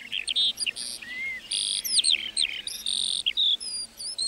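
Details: Lark singing in a meadow: a rapid, varied stream of high chirps, whistled slurs and buzzy trills, with short pauses between phrases.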